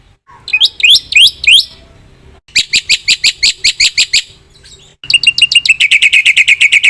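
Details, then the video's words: Black-winged myna singing energetically, a full song of varied phrases: sharp upswept whistled notes in a quick burst, then a steady run of shrill repeated notes, then a faster chattering series, with abrupt breaks between phrases. "suara jalak putih gacor full isian"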